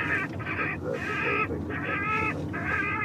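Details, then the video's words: Rook call played through an airport bird scarer to drive rooks off the runways so they are not sucked into aircraft engines; harsh, drawn-out caws repeated about five times in three seconds, each nasal and rasping. "dispose de bruitages spécifiques pour repousser chaque espèce. Ça, c'est le cri du corbeau freux."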